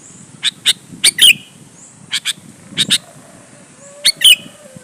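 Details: Sooty-headed bulbul song used to prompt other bulbuls to sing back: three bursts of sharp chips, each ending in a squeaky downward slur, with low background murmur.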